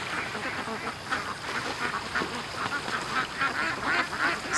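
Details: Domestic ducks rushing out of their pen toward the creek in the morning after being held back an extra hour; a flock quacking continuously, with harsh overlapping calls tumbling over one another at a fast, irregular rate.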